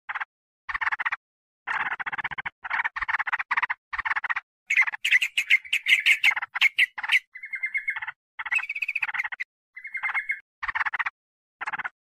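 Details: Sooty-headed bulbul sound used to lure wild birds: spaced bursts of harsh chatter, an excited run of rapid notes, then steady whistled phrases separated by short pauses.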